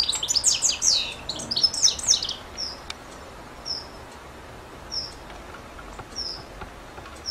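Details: European goldfinch giving a rapid twittering burst of high chirps for about two seconds, then single short high notes spaced a second or so apart.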